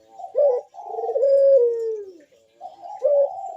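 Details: Merdu bekur coo of a vigorous puter dove on its perch: a brief accented note, then a long low coo descending steadily, and another short note starting the next phrase. Serves as a lure to trigger other doves' calls.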